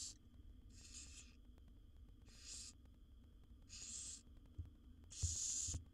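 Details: Five rasping, snoring hisses from wild barn owl owlets begging while their mother feeds a brood of seven in a nest box, the later bursts loudest, with soft thumps and a steady low hum.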